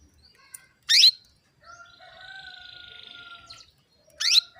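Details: Calling female canary, used to encourage males to sing: two loud, quick upward-sweeping chirps about three seconds apart, with a softer steady whistled tone and buzzing in between.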